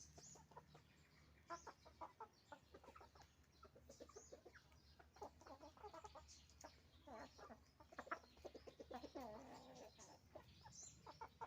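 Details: Roosters and hens on a chicken farm cluck and squawk over one another in a dense, continuous chorus of short, rough notes, with a steady low hum beneath.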